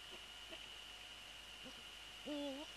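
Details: Eurasian eagle-owl on the nest, 3 February 2014, following a prey transfer with the male present: quiet faint taps, then one drawn-out, gently rising and falling tonal call near the end, over a steady whine.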